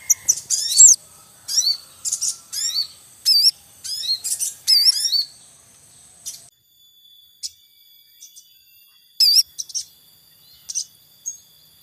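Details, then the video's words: Wild Javan munias at a nest with young, a male calling: a busy run of high, sharp chirps for six seconds, then sparser scattered cheeps over a steady high whine. "Suara Ribut Sogon Beranak Asli Alam Liar"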